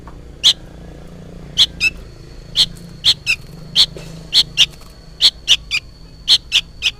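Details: Juvenile sooty-headed bulbul calling loudly, apparently for its parent, giving bright, harsh chirps mostly in pairs, the second note often lower, spaced about half a second to a second apart.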